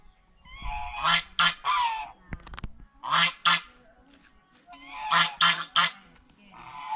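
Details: Geese eating bread and fresh vegetables at a fish pond honk in quick paired and tripled blasts, loud and nasal, with a clatter of feeding noise in between.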